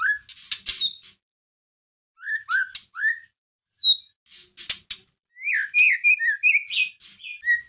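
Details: Rich, varied white-rumped shama song meant to fire up a lethargic bird: fluting whistles, downslurred high notes and rough chattering bursts in quick phrases separated by short silences.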